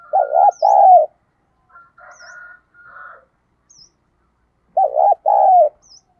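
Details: Spotted dove decoy cooing: a loud double coo, a pause filled with soft rough notes, then the same double coo again, with faint high bird chirps repeating in the background.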